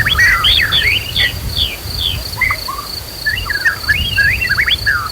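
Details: Agitated white-rumped shama song amid nature sounds, used to provoke other birds to sing. Fast, scattered rising and falling whistles are heard over a continuous high insect buzz and a flowing-water hiss.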